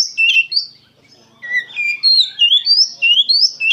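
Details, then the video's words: Oriental magpie-robin singing energetically, full of emotion: loud, clear whistled phrases sliding up and down between high and mid pitch, with a brief pause before a run of rising, repeated whistles. "KACER GACOR PENUH EMOSI"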